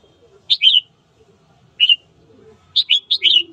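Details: Red-whiskered bulbul singing in the morning as voice training to provoke rivals into fighting; short bright whistled phrases of two to five warbling notes, each sliding downward, separated by pauses, with faint low background noise.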